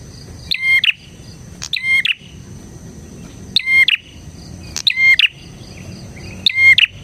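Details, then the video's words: Bar-winged prinia, a lively singer used as a lure and tutor for other prinias: sharp phrases of rattling clicks around a bright level whistle, paired bursts repeated about every one to two seconds, with quiet low background rumble. "suara burung PRENJAK GACOR isian 💯% cocok untuk MASTERAN PRENJAK dan Pancingan prenjak bahan"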